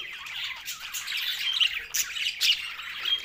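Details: Brief burst of green budgie chatter while feeding: raspy warbles and a few sharp, rising squeaks over a soft babble.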